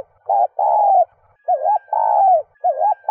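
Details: Spotted dove cooing in a recording used to spur cooing in doves: low, hollow coos with a wavering, rolling quality, given in a quick series of short and longer notes.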